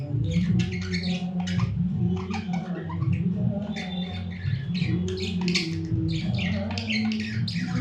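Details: A budgerigar makes a weird sound, chattering in quick, scratchy bursts of squeaks and warbles over a steady low hum.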